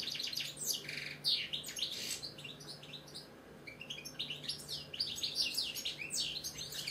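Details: Pet British European goldfinch in full song, a fast busy stream of high twitters, slurred chirps and jangling trills running almost without break over a faint indoor hum.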